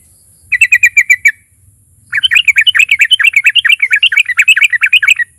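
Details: Sooty-headed bulbul in full song, played to provoke other bulbuls into singing. A short series of evenly repeated chirps comes first, then a long rapid bubbling chatter of varied notes, over a thin constant high tone.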